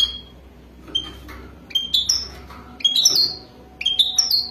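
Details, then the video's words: Wadani European goldfinch in a mating context: thin, high tweets and quick slurred notes arriving in brief groups roughly once a second, over a soft steady hum. "اجمل و اروع تغريد حسون وداني رائع جدا"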